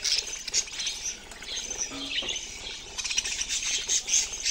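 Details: High twittering and squeaky warbles from budgerigars, steady throughout with brief louder chirps.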